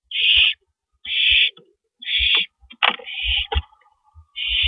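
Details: Two owls on a porch in the small hours of an April 2012 night, 2:15 AM; four raspy, noisy hisses spaced about a second apart, broken by scraping knocks and a brief rattling sound.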